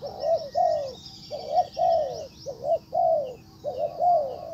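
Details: Spotted dove decoy luring a wild bird: rhythmic, husky coos, short notes leading into longer falling ones, phrases following closely, with distant thin twittering of other birds.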